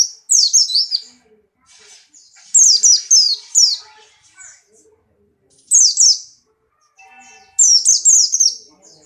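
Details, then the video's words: Buxtoni white-eye in breeding condition sings short rapid runs of thin, high falling notes in four groups, with soft calls between phrases. "burung pleci Buxtoni birahi kencang loncat indah nembak"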